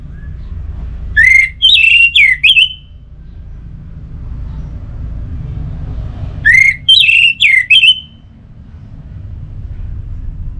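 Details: Orange-headed thrush song used as a lure to make other thrushes sing: two short whistled phrases about five seconds apart, each opening with a rising note, then quick wavering, stuttered whistles over a low steady hum.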